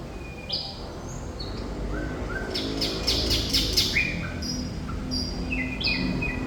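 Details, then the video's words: Thrush nightingale in lively song, mixing high whistles and slurred notes with a loud run of rapid harsh strokes midway, then more varied whistled phrases, low rumble underneath. "Sikatan Londo Thrush Nightingale Gacor"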